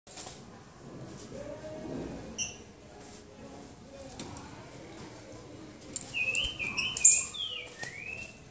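A Green-winged Saltator gives a short run of clear, slurred whistles, rising and falling, after a faint early note, over a soft noisy background.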